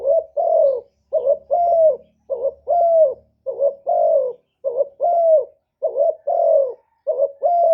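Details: Decoy spotted dove calling to provoke and attract wild doves in a one-ending style: evenly paced paired coos, a brief quavering note then a longer drooping hoot, about seven pairs, with faint low rumbling early on.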